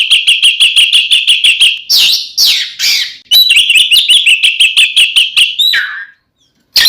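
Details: Fighting song of an Oriental magpie-robin, used to rouse other magpie-robins: a rapid train of sharp repeated chips, nearly three per second, broken by harsh rasping notes, then a downward slur, brief silence and a final burst.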